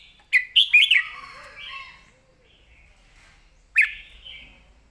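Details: Caged red-whiskered bulbul singing a clear, full master-song style phrase: a quick burst of bright, slurred whistled notes followed by a softer warbling tail, then a single rising whistled note after a pause.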